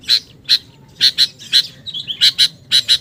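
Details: Sooty-headed bulbul lure call: strong, ringing chips in pairs and singles, with a short bubbly whistled trill before the final doubled notes.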